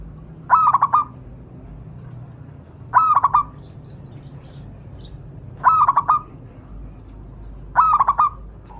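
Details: Local wild zebra dove, recorded as a tutor song for training caged doves, repeats a brief pulsed coo phrase four times, roughly every two and a half seconds, against a quiet low hum.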